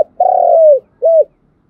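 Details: Cooing of a spotted dove, used as a trapping lure: a long, low, steady coo sloping down at its end, then a brief rounded second coo, in clean quiet surroundings.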